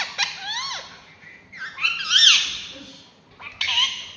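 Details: Pet ringneck parrot indoors uttering speech-like wavering syllables, then a loud harsh squawking phrase and a final short burst, quiet pauses between.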